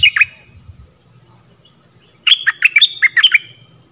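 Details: Stripe-throated bulbul decoy song for teaching young birds and luring wild birds: a short loud chirped phrase, a pause, then a fast run of about eight bright, liquid, bouncing notes.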